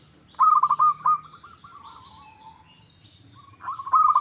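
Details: Zebra dove, a local perkutut, used as a lure to provoke rivals into answering: a loud staccato series of cooing notes slides into a softer descending trill, then another loud pulsed phrase begins.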